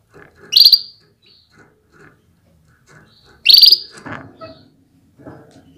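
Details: Female canary calling to excite males into readiness and vigorous song: two short, loud, rasping buzzy calls three seconds apart, followed by soft chirps and light cage rustling.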